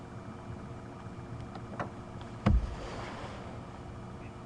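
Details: Low engine rumble from a vehicle on safari, with a sharp knock midway and soft hiss; no animal calls.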